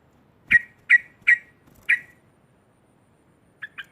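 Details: Sooty-headed bulbul singing loudly to provoke other bulbuls: four clear, evenly spaced sharp notes about every half second, then two faint quick notes after a pause, over a quiet background.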